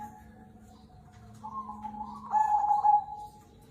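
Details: Cemani kolbuntet zebra dove in full voice: low steady cooing building into a rising rolled note, then a loud, tight trilled coo that trails off smoothly.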